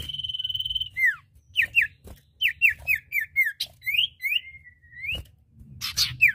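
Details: Male and female common iora (cipoh/sirtu) singing: a long steady whistle, then a lively mix of short downslurred and upslurred whistles, a drawn-out rising note near the end, and a final burst of sharp notes, with faint clicks.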